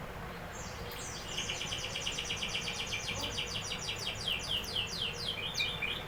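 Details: Canary song: after a second of quiet, a long, rapid rattling trill of evenly repeated high notes runs on for about five seconds, ending in a few looser, sliding notes, with soft background hiss.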